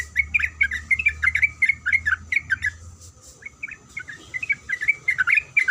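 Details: A female sooty-headed bulbul calls for the male with rapid, liquid chirp pairs, a short pause midway, then the chatter resumes. A low hum and a thin high tone sit underneath.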